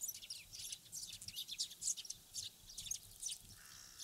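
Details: Several wild Eurasian tree sparrows from Japan's fields and watersides chirp in irregular bursts, high thin notes crowding together, with a brief faint hum near the end.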